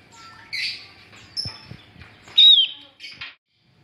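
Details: Female Javan grey-throated white-eye, calling to draw in males, gives a sharp descending whistle followed by a short buzzy note, after softer high chirps and light clicks.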